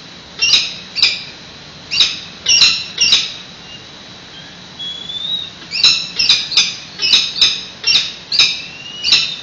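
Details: Peregrine falcons exchanging nest duty at a San Francisco nest, 28 May 2017, live webcam: bursts of sharp, harsh high calls, a quiet gap of about two seconds, then a faster uneven series of raspy notes.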